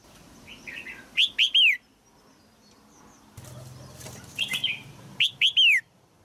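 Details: Female red-whiskered bulbul singing in a cage to stimulate an adult male, giving two bursts of loud, clear whistled notes that drop in pitch, with soft twittering and a quiet pause between them.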